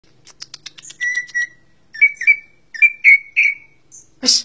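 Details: Greater green leafbird, the cucak ijo, a contest bird known for its varied song. It gives a run of short ticking notes, then paired slurred whistled chirps, and ends with a harsh burst.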